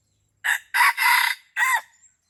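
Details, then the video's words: Junglefowl at Pasir Putih, Krueng Raya, heard while being lured for trapping. It gives one brief, harsh crow in three parts: a short opening note, a longer rasping middle section and a clipped final note, with silence around it. "Mikat ayam hutan di Pasir Putih Krueng Raya"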